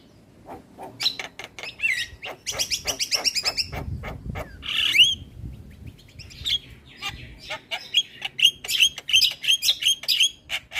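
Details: A Javan myna sings eagerly with head-bobbing on a recording meant to train other mynas: rapid clicking sequences, harsh squawky phrases and whistles, ending in a string of repeated bright chirped notes.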